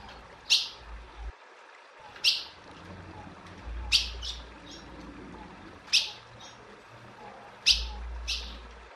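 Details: A female ultramarine grosbeak calls insistently with short, sharp high chips, often in quick pairs, repeated roughly every one and a half to two seconds over a low background hum.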